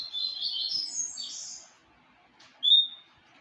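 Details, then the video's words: Papa-capim seedeater named Tempestade producing a buzzy, high warbling phrase followed after a pause by a single clean whistled note, over a light background hiss. "papa capim Tempestade"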